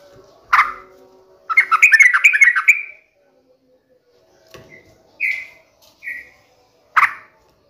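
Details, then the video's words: Sooty-headed bulbul song used as a lure call: a bubbly run of quick, chattering mid-pitched notes, followed by a few short clear whistles and a harsh burst at each end. "pancingan trucukan gacor"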